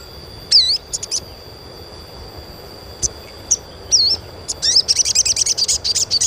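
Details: Sogon chirps meant to get trainee birds singing quickly: scattered high, swooping, wavy notes and single sharp ticks, ending in a fast, even run of very high stuttering chirps; a steady thin background tone throughout.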